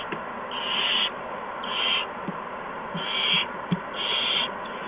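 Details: Owls at a nest on the evening of March 13, 2015, around 8 PM, as adults bring mice and a gopher to owlets. Harsh, breathy hisses, each lasting about half a second, come four times with uneven gaps over a steady background hum.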